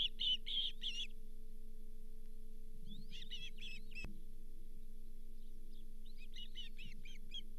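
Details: Osprey at the Charlo nest on 31 July 2023, as the fifth fish of the day, a lake whitefish, arrives. Three bursts of sharp, high, rapidly repeated chirps, with a steady low electrical hum underneath.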